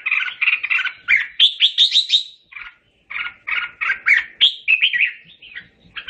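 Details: Red-whiskered bulbul song used to call the flock: fast, rolling chirped notes, a rising run of bright high whistles, a short break, then more warbling phrases.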